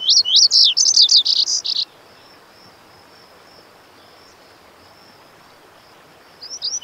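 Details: High, hurried Lazuli bunting (Passerina amoena) song of about two seconds, sweet whistles and paired notes running together, then near silence with a thin continuous tone before a short final note.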